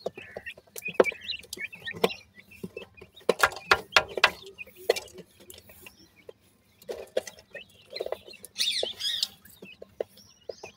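Grey francolin chicks give thin, high peeping calls, with a brief louder burst of chirps near the end, over frequent scratching and tapping noises.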